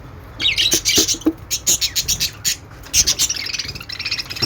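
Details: Budgerigars described as making happy sounds give a lively chatter of rapid, high, squeaky chirps and short warbles, tumbling over one another in quick bursts, over a low background rumble.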